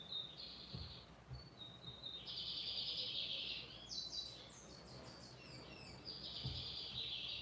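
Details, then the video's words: Lined seedeater singing firmly, a buzzy trilled song around a steady high band, phrases in bursts with short pauses, some notes jumping higher, over a steady background hiss and a few low thumps. "BIGODE AMERICANO CANTANDO FIRME!"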